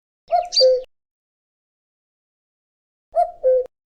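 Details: Common cuckoo in spring giving two falling two-note 'cuck-oo' calls about three seconds apart. A brief higher chirp overlaps the first call, and everything else is silence.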